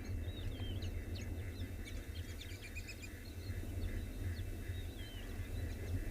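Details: A noisy flock of white-faced whistling ducks feeding busily on a morning safari drive in a South African game reserve, 15 October 2020, gives a steady chatter of clear, high, sliding whistles over a deep engine-like rumble.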